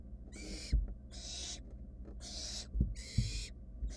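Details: Hungry wild barn owl chicks in a nest box keep searching after one sibling swallowed a mouse whole. Four broad rasping screeches about half a second each, interspersed with sharp thumps and a constant low hum.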